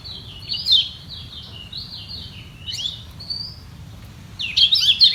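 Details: Kecial kuning, or lemon-bellied white-eye, contesting its position by song. Scattered high sliding whistles and short trills come early on, then a louder burst of chattering notes at the end.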